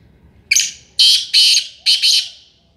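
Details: Sindhi black francolin (kala tetar) calling loudly: a short harsh opening note, then three grating, buzzy bursts in a stuttering rhythm, fading at the end; faint cooing below.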